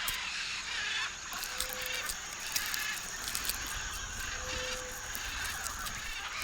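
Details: Parrots, possibly macaws, in the Tambopata Candamo Reserve, Peruvian Andes foothills rainforest, at clay licks eating clay, give a dense flock chorus of harsh, grating squawks overlapping without pause, with a faint low steady tone behind.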